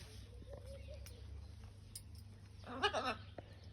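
A macaw gives one short, loud, raspy squawk with a rich harmonic tone near the end, over a steady low indoor hum.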